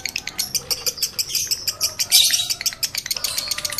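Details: A male lovebird in high breeding condition gives sharp, high chirps in a rapid run, with a louder, harsher burst past the midpoint, meant to excite other males.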